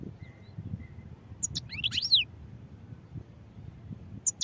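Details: European goldfinch giving a brief twittering phrase of looping, bending high notes and sharp chips, with a faint thin whistle beforehand and a steady low rumble behind.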